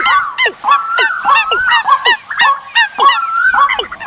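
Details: Decoy bird calls for the migration season, loud clear whistled phrases that rise and then fall steeply, given in separate bursts about every half second, with thin high overtones.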